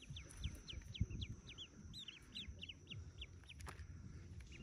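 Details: About forty yellow ducklings hatching in a cave nest: a steady string of high, falling peeps, several each second, over muffled low thumps and rustling.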